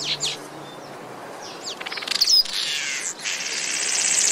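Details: Village weaver making a few quick high chirps, a rising rattle of clicks that builds to sharp squeaks, then a steady loud sizzling buzz.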